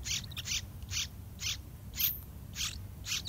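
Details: Yellow-vented bulbul nestlings, full-grown and ready to fly, being fed by both parents; loud hoarse broadband rasps, roughly two per second with uneven spacing, low rumbling noise beneath.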